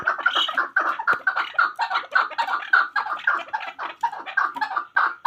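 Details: A chukar partridge, called a hunter chakor, repeats throaty chuk-chuk notes in a steady pulsing rhythm, each note harsh and rasping, with no pause across the whole stretch.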